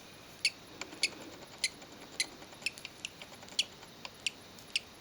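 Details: Male budgerigar chick hatching from its egg in a hand gives tiny, sharp squeaks in uneven bursts about every half second.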